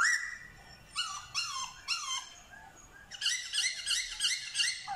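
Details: Black-throated laughingthrush singing while imitating dogs, cats and chickens: whining, harmonic notes sliding downward, in spaced bursts about every half second, then a quicker run of bright, clipped notes near the end.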